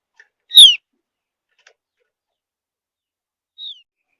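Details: Javan grey-throated white-eye, a seed- and insect-eating bird of high mountain forest, whistling to draw other birds into song; one loud, high, falling whistle followed three seconds later by a fainter, thinner echo of it.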